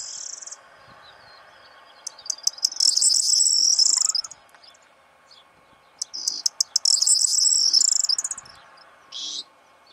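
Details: Corn bunting male in breeding condition, singing around a hide one morning: two full songs, each starting with dry ticks that rush together into a bright, rattling, high jingle, plus a short separate note near the end.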